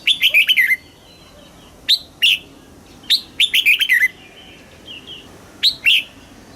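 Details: Red-whiskered bulbul song in the southern master-song style, played to stimulate caged birds and to teach young birds. It is made of bright, quick chirpy phrases of several sharp notes with falling ends, repeated in bursts about every one to two seconds, over faint background hiss.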